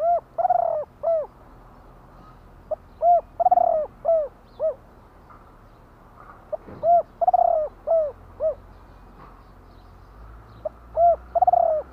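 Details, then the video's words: Singing spotted dove, Thai 'kuk-ku' song style. Repeated phrases of hollow, arched coos, each with a rolled, fluttering note, follow closely one after another with a faint steady hum behind. "นกเขาใหญ่ !!! 2 กุ๊กคูอ่างจัดเชลยคารม"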